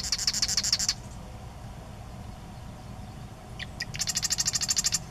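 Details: A marsh wren singing at Sacramento National Wildlife Refuge gives two fast, buzzy, rattling trills of high notes. The second opens with a couple of sharp introductory ticks. A low rumble of background noise runs beneath.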